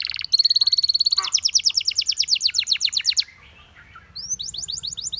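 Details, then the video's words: Dancing canaries singing: a fast buzzy trill, then rapid rolling repeated notes sweeping downward, a short pause, and a new series of quick rising-falling whistled phrases. "How Beautiful The Sound of Dancing Canaries"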